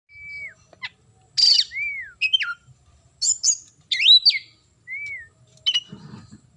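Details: Oriental magpie-robin singing vigorously: clear whistled notes, some sliding down, mixed with sharp rising and falling phrases and brief buzzy bursts, separated by short pauses, with faint low background rumble.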